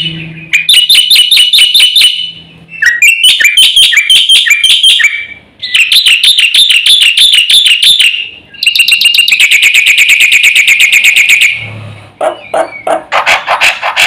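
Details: Black-winged myna delivering loud, full-isian song in long bursts: rapid streams of shrill, repeated ringing notes several seconds long, separated by short pauses, with a final sequence of sharper, scattered notes.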